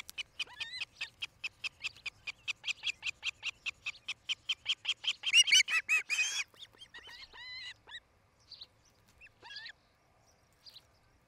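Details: Osprey calling at its nest in Charlo, Montana, on 07-08-2018 in the late afternoon: a long, even train of sharp, high chirps that builds to a loud, harsh peak, then trails into sparse looping whistles.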